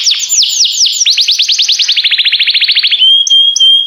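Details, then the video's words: Canary singing: falling sweeps speeding into a quick, rhythmic trill of short notes, which ends in a long steady whistled tone with a few soft chips. "This Sweet Melody Will Excite Your Singing Canary!"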